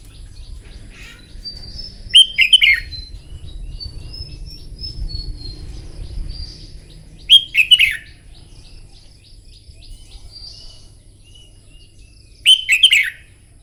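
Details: Red-whiskered bulbul singing contest-style song in the morning, used for training birds for song contests: three short, loud, bright warbled phrases, one about every five seconds, with faint thin high whistles from other birds and a low hum between them.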